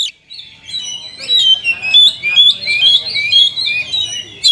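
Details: Caged Oriental magpie-robin singing prolifically, its song packed with rich fill-ins and meant to stir lazy caged birds into singing: a continuous run of high, slurred whistles and chattering phrases.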